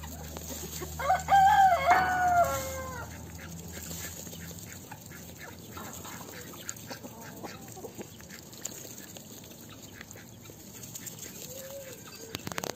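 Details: A rooster gives a loud crow rising and falling over about a second and a half, then softer scattered clucks and calls over a low hum. The poultry are free-ranging in a zoo yard with chickens, a duck, geese, turkeys and guineafowl.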